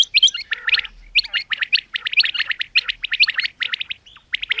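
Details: Female common quail (batair) calling: rapid bursts of sharp chirping notes, mostly high-pitched, clustered in quick runs with short pauses between groups.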